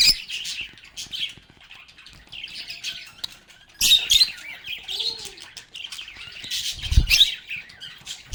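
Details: Lovebirds singing and talking, with grating high chirps in uneven bursts, a short quiet spell, then louder scratchy chatter and occasional thumps.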